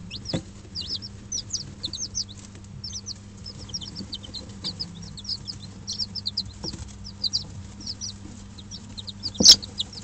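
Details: Five-day-old Dutch bantam and Barbu d'Anvers chicks in a dim brooder with an electric hen heater; continuous shrill cheeping from several chicks, short downward peeps packed together, with a constant low hum and a few sharp knocks.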